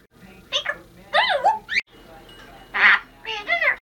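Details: A female Congo African grey parrot, a house pet, says Happy New Year in clipped, nasal talking syllables. The syllables come in quick bursts separated by short silences in a quiet room.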